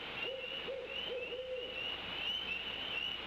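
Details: Owl calling at night near an eagle nest in Decorah, the adult male eagle on the nest with eaglets; a quick run of four low, soft hoots in the first two seconds over constant high-pitched insect chirring.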